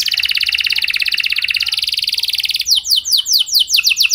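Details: Canary singing a lure song to trigger other canaries: a long, even, rapid buzzy roll lasting over two seconds, switching to looping, sharply falling whistled notes repeated about three per second.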